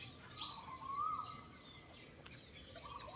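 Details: Birds calling early in the morning on temple grounds: a clear whistled note rising then dropping near the middle, with thin high chirps and twitters from other birds scattered through the background.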